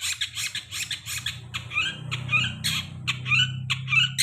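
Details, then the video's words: Long-tailed shrike singing as a lure for birds after moult: fast, scratchy chatter with rising squeaky notes woven in, over a steady low mechanical hum. "Pancingan cendet habis mabung pasti bunyi"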